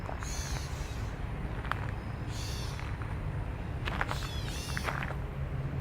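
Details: A shy Gray Catbird by Taylor-Massey Creek near the Don River in east Toronto, a restored former mill area, gives three nasal, cat-like mews about two seconds apart. It is scolding an intruder it thinks is near its nest, over a steady low traffic rumble.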